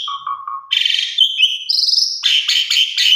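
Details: Female Asian pied starling calling for a male: low whistled notes repeated three times, then loud harsh buzzy bursts and a rising whistle.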